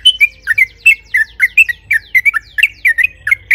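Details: Yellow-vented bulbul singing vigorously, a lure to get other bulbuls to sing. It gives a choppy stream of varied short notes, some rising and some falling, delivered about four per second with no other sounds.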